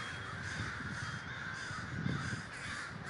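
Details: Many crows at a communal gathering in Davis, California, calling together in a thick, harsh chorus; one louder burst stands out around the two-second mark, over a strong low rumble.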